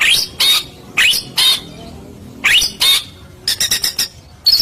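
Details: White-rumped shama (murai batu) lure recording meant to make other shamas answer: harsh, high squawking notes in short bursts, separated by gaps, with a rapid chattering run near the end.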